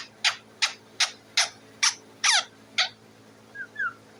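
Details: Parrot on its cage calling to be fed: a string of seven harsh clipped squawks about every 0.4 seconds, then two soft low whistled notes to finish.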